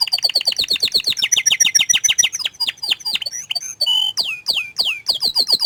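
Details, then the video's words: Canary that hides its face pours out a bouncy song of rapid descending chirped trills, roughly 200 notes per minute, broken by a short harsh burst and then sharp sweeping whistles. "Suara Kicauan nya Mantul Sekali tapi Sayang Kenari ini Malu Menunjukan Wajahnya"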